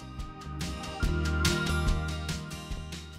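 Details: Rhythmic instrumental music with a strong bass beat plays throughout, and no animal sound can be picked out.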